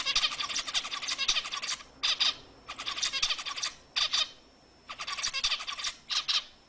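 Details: Zebra finch song for exciting females to breed, delivered as repeated phrases of rapid buzzy stacked notes, with short gaps between motifs roughly every second.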